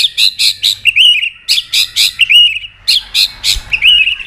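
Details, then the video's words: Forest-voiced training song of a white-rumped shama. Bright, slightly buzzy notes repeat in quick beats, several per second, running into brief twittering warbles, with short quiet breaks. "Luyện Nhiều giọng dài cho chòe lửa cực chất. chòe lửa kéo dây đảo nhiều giọng rừng. tạch đập đuôi"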